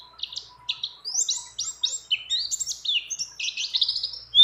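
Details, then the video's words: Female mountain white-eye in breeding condition calling to a male, mixed with many other birds: a lively run of sharp, high twittering notes and slurred chirps, closely packed with short gaps, ending in one loud abrupt note. "Pleci Gacor Ngecir Ngeroll Nembak Dengan Isian Banyak Burung Lain"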